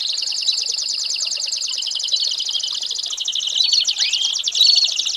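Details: American Singer canary singing a tutor song for young birds: fast, even rolling trills held high, with a sweeping upslurred whistle near four seconds and short bright whistled notes toward the end.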